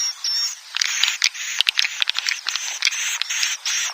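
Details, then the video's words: Swiftlet roosting call: dense, buzzy high-pitched chattering with scattered sharp clicks and brief chirps, sounding continuous and overlapping, with no other sounds standing out. "Suara Inap walet"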